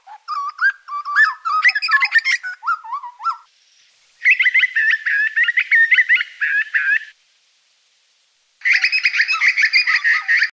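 Grey butcherbird giving three bursts of quick, varied whistled and chattering notes, mid to high pitched, with brief silent gaps between them.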